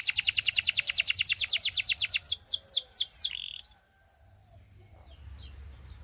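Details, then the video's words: Belgian canary singing to prompt others: a steady, fast trill of pulsed high notes for about three seconds, some slower sweeping notes, then quiet with a few faint high calls. "The Singing Canary Tempts All Canaries to Sing - Belgian Canary Singing"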